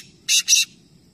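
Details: Black francolin in a three-bird calling competition, Nawabshah, Pakistan: just two loud, rough, hissing bursts in quick succession, each about a tenth of a second, over a soft low hum.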